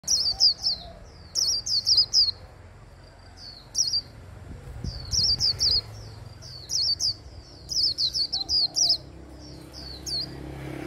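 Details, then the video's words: Japanese white-eye singing in the líu style, a hand-held bird, song used to stimulate others to sing: high, thin chirps in quick twittering bursts, repeated in several clusters over ten seconds, with low background hum. "Khuyên líu cầm tay. Kích him khuyên líu"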